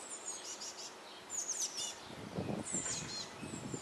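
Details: Nestling Eurasian blue tits, close to leaving their nest box, beg during feeding in May 2012: high, thin twittering bursts with soft low rustling and fluttering sounds below.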